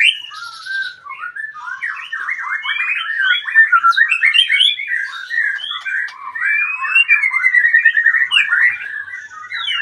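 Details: Long, continuous chattering song from a retired champion magpie-robin, dense twittering and whistled notes packed tightly together with few pauses, at a steady level.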